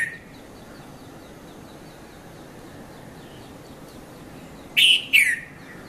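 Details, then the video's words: Early-morning Konda Kurulla, the red-vented bulbul, calling at Mount Lavinia, Sri Lanka, 5:30 to 5:40 a.m.: a quiet stretch of faint distant ticking birds, then one sharp paired chirp, bright first note and a lower falling second. "Red-vented Bulbul Bird Voice | Sounds of Bulbul"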